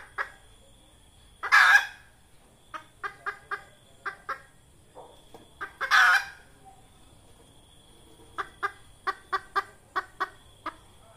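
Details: Red junglefowl hen calling, a lure sound used for trapping wild junglefowl: series of short clucks with two loud harsh squawks, clucks coming in quick runs of five or six.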